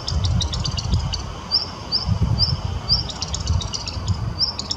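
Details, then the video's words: A Black Redstart sings in Kazan, Tatarstan, on June 23, 2017: a high, thin series of repeated short notes framed by scratchy, crackling bursts, over a steady low rumble of wind or traffic. "Black Redstart singing"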